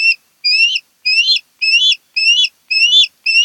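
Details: Osprey at a Kent Island, Maryland nest in August 2018: seven evenly spaced piercing whistled calls, each a rising slur, repeated about every half second.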